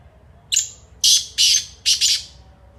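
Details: A black francolin (kala teetar) gives one clear call: a brief piercing introductory note followed by three loud, harsh, raspy notes, the third broken in two, over faint background hum.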